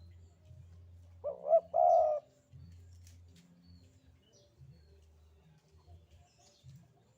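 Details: One full 'sandungan kuk 2' phrase from a Javanese spotted dove: a short double hitch of warbling notes, then a sustained, level coo about half a second long. A steady low hum continues throughout.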